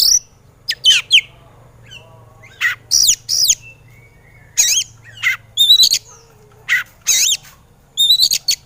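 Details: Oriental magpie-robin (kacer) in an agitated mood, training recording meant to make lazy birds sing: short bursts of harsh, squawky notes mixed with clear high whistles, spaced by second-long pauses.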